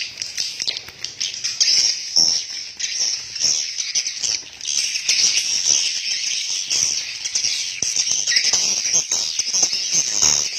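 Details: Many swiftlets calling within a swiftlet house: continuous high, buzzy twittering chorus with sharp clicking chirps, swelling and fading over ten seconds, occasional thumps or knocks beneath.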